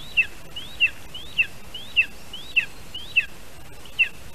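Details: At a Lesser spotted eagle nest in Latvia at 1:24 PM on 25 July 2019, as the adult male brings a vole to the chick, an eagle gives seven sharp, high yelping notes about every 0.6 seconds over a steady low hiss.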